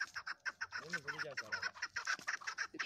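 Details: Chukar partridges calling as a group: quick, rhythmic raspy clucks with a brief run of lower, wavering notes early on.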